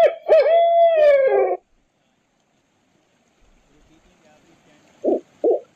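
A barred owl gives a long, drawn-out, wavering hoot with a rich, slightly nasal tone, then after a quiet pause three short clipped hoots.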